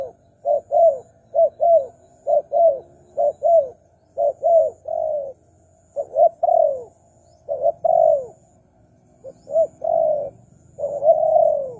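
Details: Spotted dove cooing played to attract wild doves, with a steady series of double coos and occasional longer falling notes throughout, and a faint high electronic whine.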